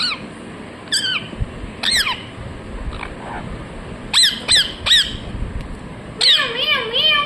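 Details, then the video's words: Pet parrot talking, apparently repeating its name; short harmonic squawky utterances at about 1, 2, 4.2–4.9 and 6.3 seconds, some clipped and some drawn out, over a low background hum. "Cute parrot #Voice #Parrot talking mithu mithu"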